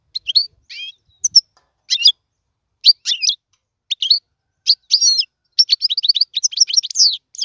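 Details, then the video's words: European goldfinch singing for chick song-training: spaced high chirps and twitters that gradually speed up into a dense, rapid twittering series. "اسمع المقنين واعطي رايك فيه,افضل تغريد لتعليم الفراخ"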